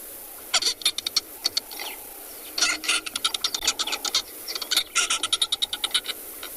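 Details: Marabou stork call replayed during a South African sunset safari broadcast: light, tinkling clicks and dry rattles in quick bursts, high and brittle, surprisingly delicate and odd for such a large bird.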